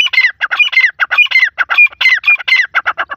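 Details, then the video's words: Calls of Iranian grey partridge chicks: rapid, rasping squawks in close, even pulses with a brief bright whistled edge on some notes, running without pause through the recording and heard clearly with no background noise. "Irani teetar ki awaz | Teetar ki awaz | Teetar chicks voice"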